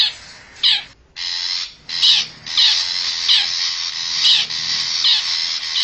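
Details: Forest long-tailed shrike, used as a lure for wild birds: drawn-out grating, scratchy notes running almost continuously, with a short silent break near the start.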